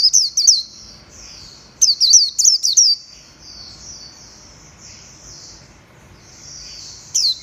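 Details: A white-eye recorded 11/7/2021 pours out an unbroken high, wavering warble, punctuated by groups of piercing chirps repeated rapidly, roughly three per second, near the beginning and again briefly at the end.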